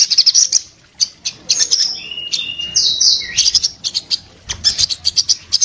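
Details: Orange-headed thrush in breeding condition singing with open beak, a song meant to make other orange-headed thrushes sing. Choppy high chirps and short bursts, with drawn-out level whistles in the middle and quick staccato notes after gaps.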